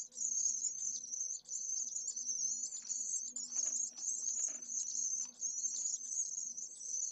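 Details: At a pallid swift nest in Jerez de la Frontera's city centre, where one chick endures a severe August heatwave at midday, a shrill, wavering trill carries on nearly unbroken, with brief dips and some soft clicking below.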